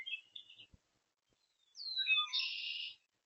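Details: Oriole recorded 5/13/26: a few short whistled notes, then a quiet gap, then a descending whistled slur that runs into a harsh, buzzy chatter lasting about a second. No other sounds are clear.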